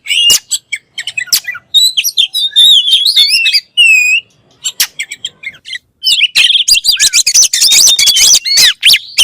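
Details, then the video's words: Oriental magpie-robin song: sharp clicks and whistled slurs, a short pause, then a dense rush of rapid chattering and high twisting notes, loud and close. Said to make other kacer birds start singing. "THE KACER BIRD IMMEDIATELY WORKS AFTER HEARING THIS VOICE"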